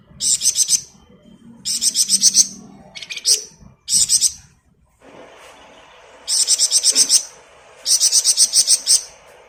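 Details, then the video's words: Flamboyan bird singing in the lively ngebren style, used as a master recording for training other songbirds: bursts of rapid, very high, buzzy trilled notes about a second long, repeated after short pauses, with a quieter lower rasping trill between bursts. "Burung Flamboyan Gacor Ngebren mantap buat Masteran"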